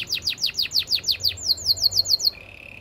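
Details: Canary song for training other canaries: a fast series of about twelve loud downward-sweeping high notes, roughly five per second, then a run of quicker repeated notes, ending on a steady thin high trill.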